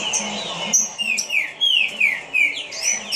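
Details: Fast-paced green-winged saltator song of evenly repeated, sliding whistles dropping in pitch, roughly three notes a second, with low murmuring noise underneath.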